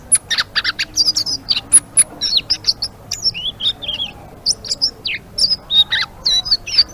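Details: Selendang biru, the blue-winged leafbird, singing gacor: sparse then quickening high chirps, sharp ticks, looping whistled slurs and a few lower sweeping notes, with scratchy buzzes early on and short gaps between phrases.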